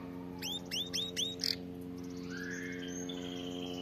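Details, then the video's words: Canary song used as a tutor recording for teaching canaries to sing: quiet rows of quick upswept notes, then a soft buzzy note and faint thin trills. A steady low hum runs underneath. "أفضل أغنية لتدريب طائر الكناري على الغناء الصحيح"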